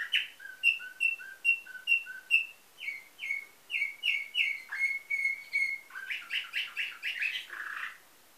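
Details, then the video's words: Canary with nightingale-type song, bred in Varna, Bulgaria, 2013: a steady series of paired whistled notes, about two per second, shifting to flat piping tones, then quick buzzy chirps and a low ending note. "Bülbül ötümlü kanarya , canary - Nightingale"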